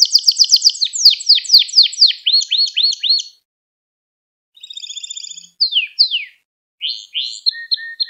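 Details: Domestic canary song, recorded for training young canaries to sing. Rapid high rolling trills open the song, then a pause, buzzy repeated notes, swift descending slurs, and finally short clipped trills and a steady tone.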